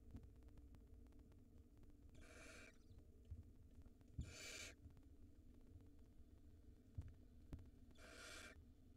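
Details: Barn owl chick at the nest in Israel, 2022, gulping down a rodent; three breathy, rasping hisses spaced about two to four seconds apart, with faint thumps and hum between them.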